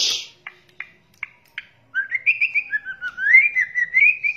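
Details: White-rumped shama lure recording of crackling calls attributed to juvenile, male and female birds: a harsh burst and four short dry ticks, then a rapid warbled run of slurred whistled notes wavering up and down.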